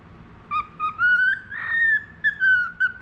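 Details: Tame, clever pet budgerigar of the falk type, kept for its whistling. A sustained whistled phrase wavers and rises slightly, broken by short notes, with a soft breathy burst in the middle.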